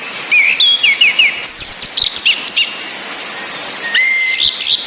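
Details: A female orange-headed thrush chirps in quick high bursts, a ngecis call for rousing sluggish males to sing; short rising whistled notes and sharp repeated chirps, rain hissing underneath.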